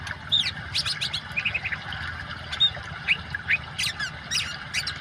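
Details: Oriental magpie-robin song set against water sounds to restart birds that have stopped singing: sharp, squawky upward notes and quick chirp runs, varied and irregular, over a broad, steady watery rush.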